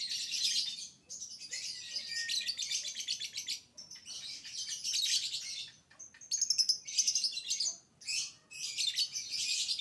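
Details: Lovebird song used as a lure to make other lovebirds sing: long bursts of harsh, buzzy, high chattering broken by short gaps, with brief whistled notes between phrases.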